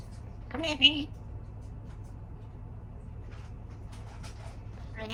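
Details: A talking African grey parrot, rehomed seven weeks earlier, calls for the household dog to come and eat for the first time, a brief speech-like call with a sharp whistled note.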